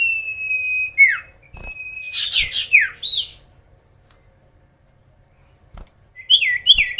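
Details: Common iora singing to provoke rival birds: a long level whistle ending in a sharp downward swoop, a cluster of burry slurred notes, silence, then two quick falling whistles.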